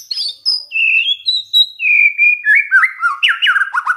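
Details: White-rumped shama song used as a lure to provoke other shamas into singing: long clear whistled notes falling in steps, then a fast run of rich, bouncing, down-slurred phrases, loud and clean with no other sounds.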